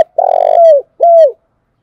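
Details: Spotted dove lure call, used to draw in wild doves for trapping: a long, low, slightly rough coo that eases downward, then one shorter falling coo after a brief pause. Clean, with no other sounds.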